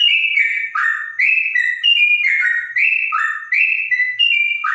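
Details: Trotok, a bird whose clear voice is likened to a straw-headed bulbul, sings loud clear whistled phrases. Each note steps between higher and lower pitches, in quick bubbling runs with brief gaps.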